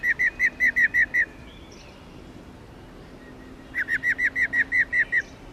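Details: A female black-throated laughingthrush (Garrulax chinensis lugens) makes its 'ro' call meant to rouse males: a row of seven sharp repeated notes, a quiet gap, then a longer run of about ten even notes.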